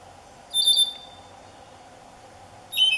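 Andean solitaire giving two brief, high, pure fluty phrases about two seconds apart, over a steady low background hum.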